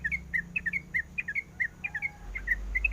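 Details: A female sooty-headed bulbul calls for the male, giving spaced, sweet chirped notes in pairs, over low humming background noise.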